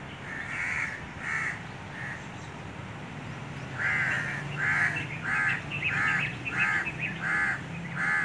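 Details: Crows calling to each other: three spaced harsh caws, a short pause, then a faster run of about eight hoarse caws roughly every half second, over quiet outdoor background.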